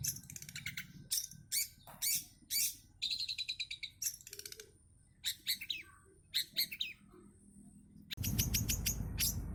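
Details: Long-tailed shrike in full, active song rich in imitated fills: varied sharp chirps, quick trills and downslurred whistles in short bursts, ending with a loud rushing noise.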